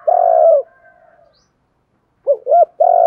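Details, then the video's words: Spotted dove cooing for rousing decoys: a long coo ends, softer trailing notes follow, then after a silence a new phrase starts with two arched notes and another long coo. "Tiếng chim cu gáy kích bổi mới [ tiếng THÚC, GÁY GỌI, GÙ ĐẤU ] CHIM CU GÁY KÍCH BỔI"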